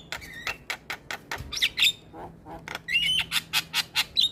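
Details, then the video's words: Starling lure song aimed at other starlings and reluctant singers: rapid harsh, chattering notes broken by brief squealing whistles, a short lull, then renewed buzzy bursts. "Pancingan Segala Jenis Burung Jalak - Jalak Malas Bunyi / Jalak Pikatan Auto Nyaut"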